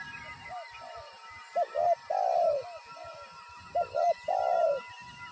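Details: Wild spotted dove calling at a trapping site. Soft distant coos come first, then two loud phrases of paired short notes ending in a long, slightly falling coo, about two seconds apart, over a constant background tone.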